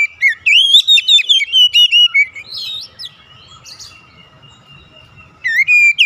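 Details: Captive Oriental magpie-robin in gacor song during daily therapy: a quick chain of sharp, bright whistles, a scratchy warbled phrase, a quiet interval with faint murmur, then renewed loud whistling.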